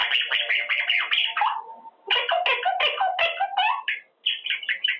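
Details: Caged pet male Quaker parrot rehearsing words; scratchy, voice-like syllables with gliding tones run together in long phrases, broken by one short gap.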